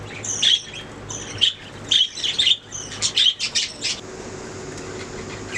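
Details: Budgerigars giving short bright chirps and clipped whistles in separate bursts for about four seconds, then near quiet with only a soft hum.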